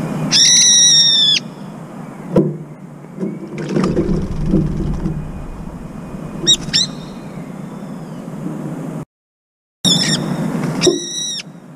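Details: Brown-eared bulbul screeching after repeated cold-water baths at an empty feeding dish, some dips only the head; loud harsh piercing screeches with stacked harmonics, given in short bursts near the start, middle and end, over splashing water.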